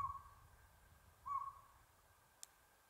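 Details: A Northern Pygmy-Owl at Buckhorn Campground, San Gabriel Mountains, Los Angeles, on 7 April 2022, gives two clear, mellow, whistled toots about a second and a half apart. A single sharp click follows later.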